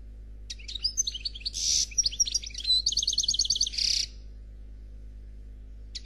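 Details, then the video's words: Khalwi black goldfinch in faultless song, a burst of about three seconds of sharp twitters, buzzy rasping segments and a quick metallic trill, with quiet pauses before and after and a low constant hum. "Chardonneret Noir Khalwi Chant sans fautes"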